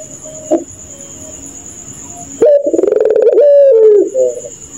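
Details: Puter pelung dove calling at night in its laughing style, a loud burst of rapid, pulsed, low, throaty cooing lasting about two seconds after a quiet stretch, with a faint chirp earlier and a steady high insect drone throughout.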